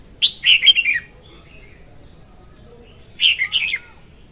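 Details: Red-whiskered bulbul hen singing, a lure for trapping birds: two bubbly phrases of rapid whistled notes sliding downward, separated by three seconds of near quiet.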